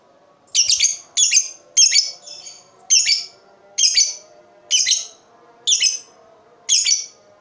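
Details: Lovebird chirping meant to lure other lovebirds into song: eight grating, high chirps at a quick, uneven pace, some followed by a softer echoing note.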